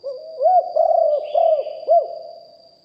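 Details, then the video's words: Spotted dove kept as a decoy, recorded live and singing in a deep hanging style. A single phrase of soft, low coos rises into four rounded, bouncing notes and then fades. A steady faint high tone is present. "นกเขาใหญ่คับ birds - Ep 1 เสียงต่อนกหลิ่วห้อย เสียงใหญ่#2 & 4กุกห้อยเสียงใหญ่ บันทึกเสียงสด"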